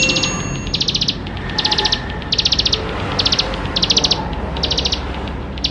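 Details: Lively bar-winged prinia song loaded with fill-in phrases, used to spur young birds into song: bright rapid rattled bursts of high notes, each under half a second, returning about every 0.8 seconds with soft hiss behind.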